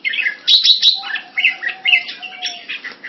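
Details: Red-whiskered bulbul, caged and kept Thai style in Singapore, 2018: a brief burst of sharp chirps followed by separate mellow whistled notes spaced about half a second apart, with a faint hum.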